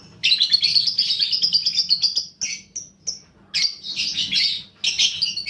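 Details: Paud balibu fighter lovebird, a lure recording to stimulate fighting lovebirds: long continuous shrill high chattering, broken by a few short piping notes, then further chatter bursts.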